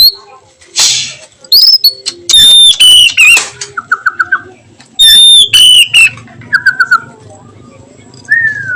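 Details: Afternoon song of an oriental magpie-robin, kept bird: loud pure whistles sliding downward, short rising upslurs and soft rapid trills, delivered in two bursts separated by brief pauses.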